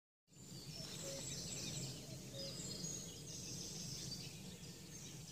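A common grasshopper warbler's high, dry, insect-like reeling runs on without a break, half-buried under a steady low rumble of wind or distant traffic.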